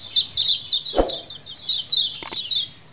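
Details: A kecial kuning, or lemon-bellied white-eye, colony calling as a lure: a fast series of thin, high chirps, broken by a dull knock and a sharp click partway through.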